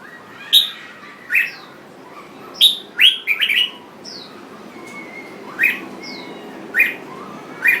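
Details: A jambul bird sings a loose series of sharp, bright chirps and short slurred whistles, some in quick clusters, others about a second apart, with faint higher notes between and soft background hiss.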